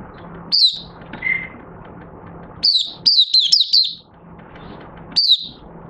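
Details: Oriental white-eye, a caged bird that completed three months of training with an open cage cover and night sleep, starting to sing on 25 August 2022: high down-slurred chirps, one lower whistle, then a quick run of four clipped notes over low hum.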